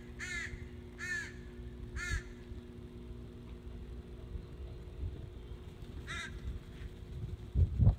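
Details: Loud crows in Northern Michigan, 14 July 2017, giving three raspy caws roughly a second apart, a lone caw later, and a dull thump at the end against constant low background hum.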